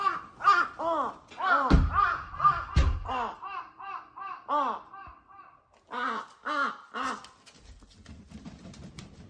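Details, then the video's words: Noisy crows cawing at early morning in spring, a long series of harsh, nasal caws roughly two per second, some overlapping as if more than one bird, with a few low thumps, a brief pause, then renewed cawing. "カラスの鳴き声#noisy crows 早朝から、けたたましいカラスの鳴き声"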